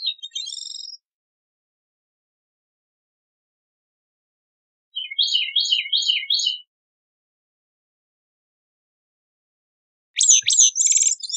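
Bicknell's Thrush sings three high, thin, wiry phrases of fluty spiraling notes, each about a second or more long, separated by pauses of several seconds in silence.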